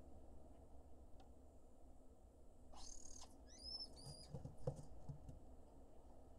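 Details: Lesser kestrel nestlings at a nest cam in Israel give a brief burst of thin, high, squealing begging calls as the male brings an insect, over a steady low rumble and hum.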